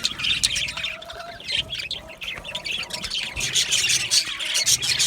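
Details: Budgerigars chirping in an aviary flock, quick high twittering and squeaky notes tumbling over one another, steady busy chatter throughout.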